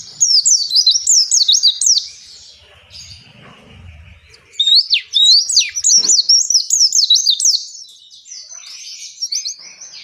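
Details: Oriental white-eye's long 'ngalas' song, played to get captive white-eyes singing: two long runs of high, rapid zigzag twitters, separated by a quieter thin warbling passage.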